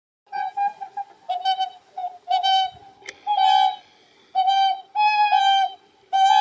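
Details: Whooper Swans calling across Lake Izunuma, where Greater White-fronted Geese also call: loud, clear, trumpeting honks repeated about once a second, several birds overlapping, with a quieter background hum between calls.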